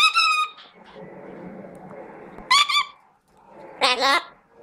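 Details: Chestnut-fronted macaw with a clear squawk at the start, then a steady murmuring background, followed by two louder, rough screeches near the end.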